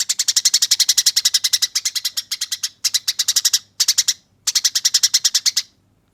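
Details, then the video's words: Tree sparrow in fighting song, recorded for training other birds: a long rolling series of rapid, coarse yet clear chirps, broken by brief gaps into four or five runs, very evenly paced, with a quiet background. "Masteran Burung Gereja Tarung Ngeroll Abis Nyerecet Kasar dan Jernih"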